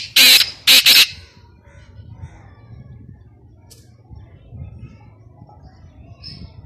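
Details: A black francolin calling, recorded as a hunting lure call, gives two loud, harsh, grating notes within the first second, followed by a low background hum and a few faint distant chirps.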